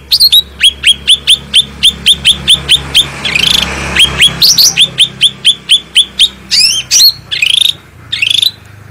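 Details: Cucak rante bulbul in full, clear, powerful song, used as a master recording to train and stimulate other birds. Rapid series of sharp, downward-slurred whistled notes, roughly four per second, with brief harsher rising notes mixed in and a faint low hum beneath.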